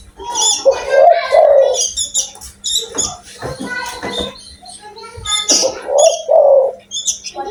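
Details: Loud, energetic spotted dove giving two rough cooing phrases several seconds apart, with busy high-pitched chirping and twittering from other birds between them.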